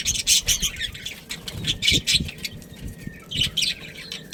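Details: Pet budgerigars, a breeding pair, giving bursts of scratchy chirps with quieter gaps between them, plus some low knocking sounds.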